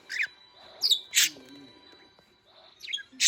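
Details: Pet budgerigar running around indoors, with cockatiels also kept; short scattered chirps and sharp squawks at irregular intervals, a few high bright notes, between quiet rustling gaps.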